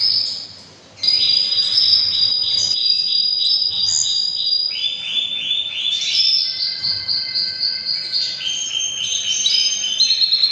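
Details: Canary singing powerfully in breeding season after a short quiet start: long sequence of rolling trills and whistled tours stepping down and up in pitch, phrases changing every one to two seconds.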